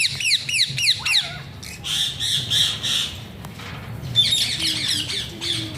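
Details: An Alexandrine parakeet gives a quick series of sharp, downward-sliding screeches, then longer grating squawk bursts, one thin whistle and faint low murmurs.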